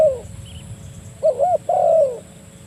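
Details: Spotted dove calling a rival, used as a lure to trap doves: a short rising-falling coo pair followed by a longer drawn-out falling coo, low and hoarse.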